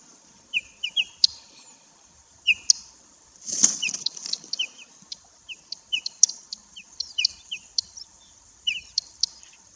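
A bird gives short, sharp, falling chirps in pairs and triplets every second or so, over a steady high hiss, with a brief flutter of wings midway.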